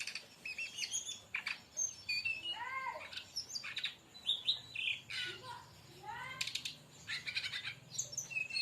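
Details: Brown-chested jungle flycatcher song, played to lure or train other birds. High whistles and buzzy bursts mix with lower, harmonic, downward-curving notes repeated several times, over a soft low hum.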